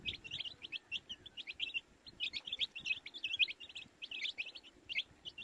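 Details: Baby chicks peeping constantly: many short, high, clear chirps overlapping in quick succession, several birds calling at once in an unbroken busy chorus with quiet background hiss.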